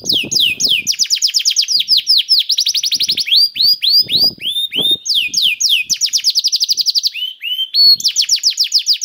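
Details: Canary song used to prompt other canaries to sing: rapid trills of repeated descending whistled notes, about four per second, shifting between tours, with faint low clicks beneath.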